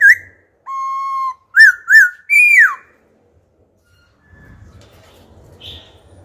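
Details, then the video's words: Old wild laughingthrush switching song phrases to prompt and train young birds: a short whistle, a long steady flat whistle, two ringing arched notes and a long descending slur, then quiet with faint low rumble. "Khướu già rừng hót giọng rừng, đảo giọng liên tục kích bổi hót, tập chim non, bánh tẻ hay!"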